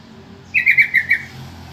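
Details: Yellow-vented bulbul calling to draw replies from other bulbuls: four quick, bubbly, liquid notes run together in a brief chattering phrase over faint low hum.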